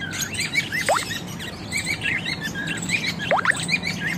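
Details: Parrots in an aviary in Juhapura, Ahmedabad, kept with budgies and lovebirds: a dense flock chatter of overlapping high chirps and warbles. Two quick upward-sweeping squeaks stand out near the first and third seconds over a steady low hum.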